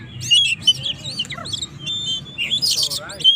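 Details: Oriental magpie-robin, a Kacer, singing loudly and continuously as a lure to provoke rival birds: a busy jumble of high whistled and chirping phrases, short slurred notes and harsh buzzy bursts near the end, with a low hum underneath.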